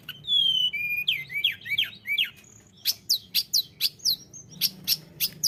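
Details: Sunda robin (tledekan gunung) singing persistently, used as a lure for other birds: clear high whistles, some sliding down, then buzzy swooping notes and a fast run of sharp rising chips; quiet background.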